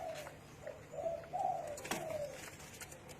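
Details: Low, mellow cooing of a spotted dove: several soft notes swelling into a longer drawn coo that slides gently downward, against a quiet backdrop.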